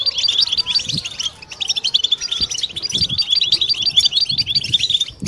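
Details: A flock of European goldfinches singing as a group, meant to stimulate females toward mating song: rapid, tinkling chirps and liquid trills pour out steadily over five seconds, with faint low knocks underneath.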